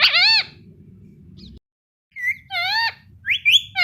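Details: Pet Indian ringneck parakeet chirping: loud harsh arched squawks with rich overtones, one at the start, another mid-clip, then short rising and falling notes, over a low background hum.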